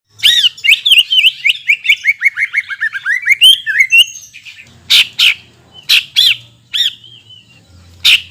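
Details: Greater green leafbird song played as a lure to stimulate birds after moulting: a rapid run of bright whistled notes slurring downward, then loud, spaced, sharp whistled notes separated by short pauses.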